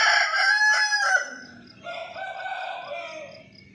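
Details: Rooster crowing: a loud, harmonic-rich cock-a-doodle-doo lasting just over a second, its broken phrases stacked high, followed by a softer, lower drawn-out crow trailing off.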